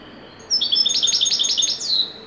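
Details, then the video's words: Moroccan wedani goldfinch in joyful full song: repeated bright, slurred, high notes in a rapid rippling phrase, closed by a longer descending whistle, around one and a half seconds. "تغريدة طائر الحسون الويداني المغربي قمة الاداء فرحة ممتعة"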